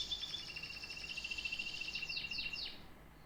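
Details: Singing canary: a fast rolling high trill over a steady whistled tone, closing with three or four sharp falling sweeps before the song fades.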